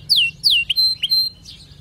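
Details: Canary song: a few loud downslurred whistled notes sweeping from high to lower pitch, followed by short bright chips and a sustained high tone, then a fading buzzy phrase.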